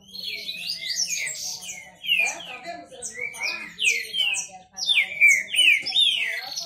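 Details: Competing male Green-winged saltators sing fast phrases of sweet, downward-sweeping whistles with sharper high notes mixed in, repeated in surges several times over a few seconds.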